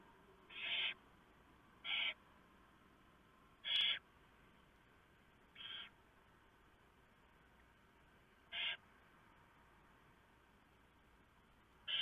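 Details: Barn owl nest around 4 AM on 3 November 2015, female tearing up the male's oversized mouse for the owlets; seven sharp, brief hissing bursts at uneven intervals with a light background hum.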